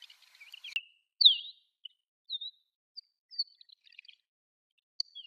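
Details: Desert wheatear subsong (ぐぜり), a passage migrant or winter visitor recorded in Sakae, Chiba, Japan; sparse, quiet high chirps and short warbled slurs scattered with gaps, one sharper downslurred note near the start.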